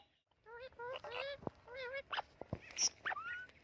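An Amazon parrot gives a quick run of harsh, nasal squawks with wavering tones, broken by sharp clicks and ending in a short rising whistle.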